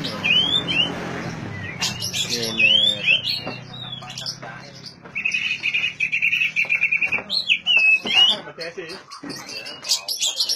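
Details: Oriental magpie-robin song, played to prompt silent magpie-robins to sing: varied whistled slurs and sharp chirps, then a rapid buzzy trill on one pitch around the middle, followed by more whistled phrases. A faint low hum runs beneath.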